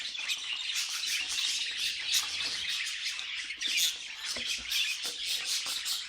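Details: Budgerigars singing as a flock, a steady scratchy babble of high chirps with repeated sharp clicking squeaks scattered through it, fairly even in volume.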